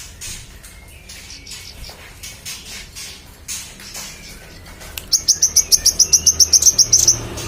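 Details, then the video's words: Magpie-robin tutor song for contest birds: quiet opening with soft rustles, then a sudden burst of high, rapid chirps repeated about four times a second until the end. "manggaran gacor cocok untuk masteran burung lomba"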